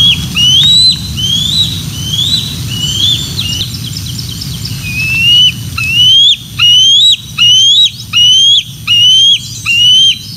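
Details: Bald eagles at the Decorah North nest, filmed by a live nest camera on 12 June 2024 as the female parent brings a fish and a young eagle mantles and claims it. Thin, rising, piping whistles repeat roughly every three-quarters of a second over a steady background hum.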